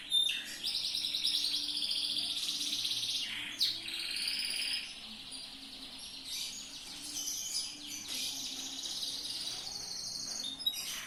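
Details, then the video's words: Continuous song of a yellow loper-style canary used for training other birds: long, dense high trills and warbled runs roll on with little pause, changing speed and pitch, over a low steady background hum. "MASTERAN BURUNG KENARI/LOPER/JOS"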